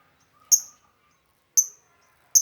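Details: Lovebird call meant to lure lovebirds: clean piercing high tweets repeated about once a second, each quickly fading, with silence between.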